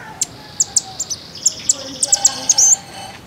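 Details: Common iora call used as a lure to make birds sing: bright, clipped high notes, mostly single, about twice per second, ending in a short fluttering trill over a faint steady whine.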